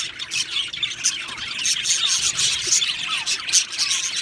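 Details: Budgerigar flock in an aviary, fast high chattering with quick downward-sliding whistles and clicks repeated over and over, a lively continuous warble from many birds.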